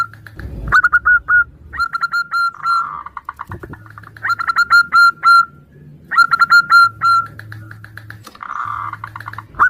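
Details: Zebra doves answering each other, the female calling a male, used as a lure: bursts of rapid clear notes, each burst lasting about a second and followed by pauses, with faint low hum and occasional knocks.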